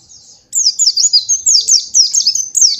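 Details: White-eye master song for training young birds: after a soft start, a steady flow of high, quick, twittering downslurred notes, each about a fifth of a second apart.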